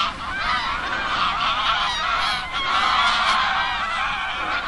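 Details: Steady clamour of many geese honking together at Oby, Norfolk, England, the nasal calls layered thickly and unbroken throughout.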